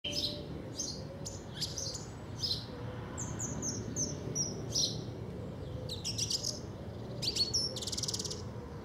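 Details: Song thrush singing in South England: a varied run of sharp, high whistled and chirping phrases with brief pauses between them, over a steady low background rumble.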